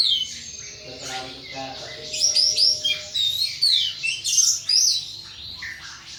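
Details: Kept as a household pet, this thrush delivers an excited ngeplong song: a string of short, loud whistled bursts and twittering notes in quick succession, building in strength midway.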